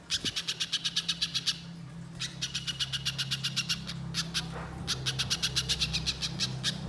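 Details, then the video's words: Spiderhunter in energetic, long chattering song used as a lure in the wild: three bursts of rapid, evenly spaced sharp high chips, about four per second, separated by short pauses, over a steady low hum. "Masteran Pijantung Gacor Nyerecet Panjang Untuk Suara Pikat Di Alam Liar"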